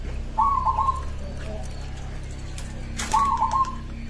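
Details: Song of a local zebra dove that prompts other doves to respond. Two fairly faint stuttering coo phrases about three seconds apart, set against a broad background hum.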